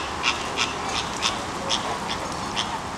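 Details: Flamingos at Jungle Island in Miami, South Florida, USA, on 24 November 2010, giving a rapid series of short, nasal, goose-like honks, about eight in three seconds, over a steady background hiss.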